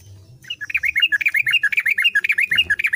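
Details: A captive Yellow-vented Bulbul that had stopped singing and began again after weeks of care gives a rapid run of bubbly, liquid notes, roughly two per second, chattering and warbling without pause.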